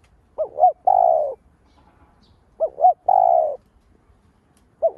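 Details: Spotted dove giving lure coos to stimulate other doves: two phrases of paired short arched hoots and a drawn-out burred coo about two and a half seconds apart, with the first note of a third at the close.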